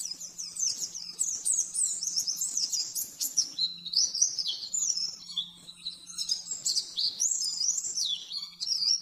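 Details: Oriental white-eye, caged, singing a rapid 'nembak-nembak' master song used for training: loud, continuous high warbling and twittering with quick rising and falling notes, over a faint hum.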